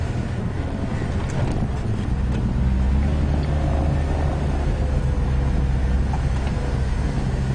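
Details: Loud, steady vehicle engine drone with wind buffeting the microphone on a morning safari game drive.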